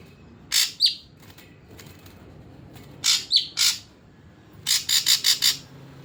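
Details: Caged ashy drongo on a routine of morning and evening baths, then airing under a cover, gives rasping, scratchy bursts with short whistled notes, ending in a rapid series of five harsh chattering notes.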